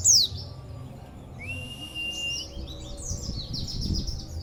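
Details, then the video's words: Oriental white-eye with an unusual, rarely heard song: a sharp falling note, a long flat whistle, then fast high twittering notes. "Pleci Suara ANEH..!!!"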